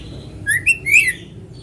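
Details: White-rumped shama in full voice, natural sound meant to prompt other shamas to sing: three brief bright whistles, the last one longer and sliding downward, with quiet background.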